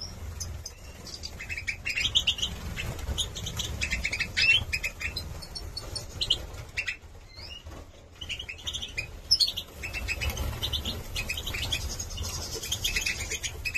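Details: Song of young Major goldfinch males bred in 2022 in Gladbeck, with runs of rapid liquid twitters and buzzy trills, a quieter pause near the middle, then renewed chattering, all over a low hum.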